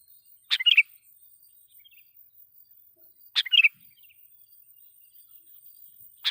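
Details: Sooty-headed bulbul lure phrases meant to provoke wild birds; two bubbly chattering bursts about three seconds apart and the start of a third, faint hiss behind.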